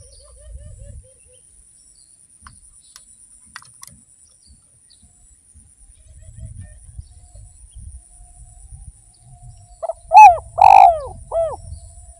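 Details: Spotted dove singing actively, a lure recording from Indonesia meant to make listening doves sing: faint soft notes early, then three or four loud, low, hollow arched coos in quick succession near the end over a low rumbling background.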